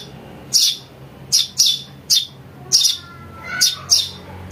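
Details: Eurasian tree sparrow chick calls for luring birds. Eight bright, piercing chirps come singly and in pairs over a steady faint hum.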